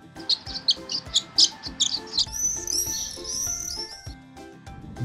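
A swallow's high, quick chirps, about two a second, give way to a run of sliding, warbling twitters, over soft background music.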